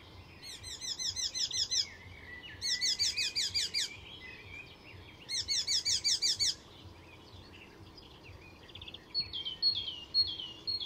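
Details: Icterine warbler in full song at Fysingen reserve near Stockholm, Sweden, known for mimicking other species: three loud bursts of rapid repeated high chattering notes, each about a second long, followed by softer varied whistles and clicks.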